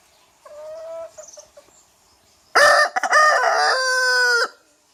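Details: Young rooster: a few soft clucks, then one loud, harsh, strained crow about two seconds long that holds a steady, rich pitch before cutting off; no other sounds.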